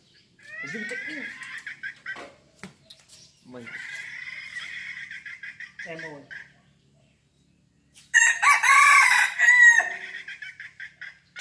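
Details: Five-month-old red junglefowl crowing intensely: a loud, rough, strained crow near the end follows softer clucking calls and stretches of a man talking nearby.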